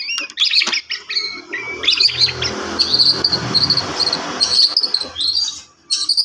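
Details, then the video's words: White-rumped shama singing loud, high whistled phrases and chattering notes, with a sustained shrill passage and background noise. "murai batu"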